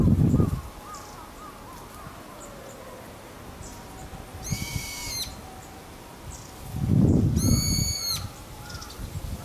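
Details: Brown-eared Bulbul, noisy as usual, calling while bathing alongside quiet Japanese white-eyes at Gotenyama Kotori no Mori on 2 February 2017: two loud shrill drawn-out screeches several seconds apart, with faint thin notes and low splashing rumbles between.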